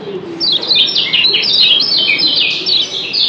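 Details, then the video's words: Lombok yellow white-eye (kecial kuning) in a doubled chattering style: a dense, unbroken stream of high, rapid twittering chirps and slurred trills filling the whole stretch. "Doble Ciak Kecial Kuning JOSS BERSAHUTAN"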